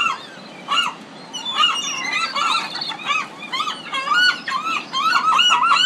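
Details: Several Pacific city gulls call at once, a jumble of overlapping nasal, arched squeals and yelps that grows denser toward the end.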